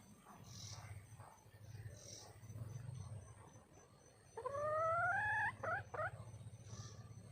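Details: Female wild junglefowl calling for a male: a long, smoothly rising nasal note, then two short clipped notes in quick succession, over a low rumbling background.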